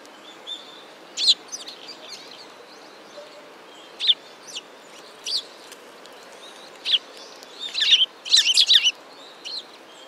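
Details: Sparrows at a Tenmangu shrine in mid-November 2016 give short, high chirps spaced irregularly, growing into a dense cluster of overlapping chirps toward the end.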